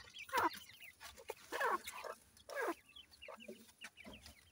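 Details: Francolin chicks (Irani teetar, grey francolin) give soft, quick chirps and peeps, broken by three louder, harsher bursts about once a second, in a quiet background.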